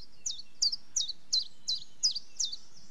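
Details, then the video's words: Common chiffchaff singing: a run of about seven sharp, high chirped notes, each dropping in pitch, delivered steadily roughly three per second over a quiet background. "Chiffchaff Bird Call - Bird Song"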